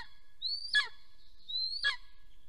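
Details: Golden eagle at the nest in Soomaa National Park, southwestern Estonia, on 1 April 2024 in the morning, recorded by a nest camera while its mate returns. Two clear calls, each a thin upward-sliding whistle ending in a sudden downward break.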